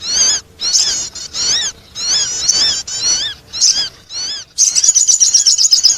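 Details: Attracting sound of the sogon bird: high arched, whistled notes repeated roughly twice a second, ending in a dense, fast chattering trill.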